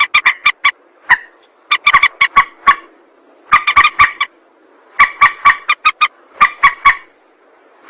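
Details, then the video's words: Rail call played as a trapping lure: repeated bursts of quick, raucous clucks with a nasal ring, the bursts coming every second or so with brief gaps. "Suara pikat burung mandar"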